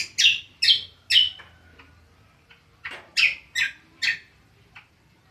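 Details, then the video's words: Greater green leafbird (cucak kombo) giving ngriwik song: three sharp, harsh chirps, a pause with faint soft notes, then another run of three or four buzzy chirps. "BURUNG CUCAK KOMBO NGRIWIK PALING ISTIMEWA"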